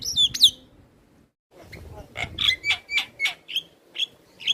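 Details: Black-winged starling singing actively, nodding its head: an opening squeaky whistle pair, a short silence, then a steady series of eight harsh, whistle-tinged chatter notes about every third of a second.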